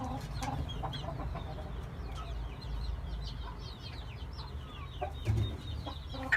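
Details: Oriental game bantam chickens give low, short clucks over a steady low rumble. Many faint, high chirps from small birds twitter throughout.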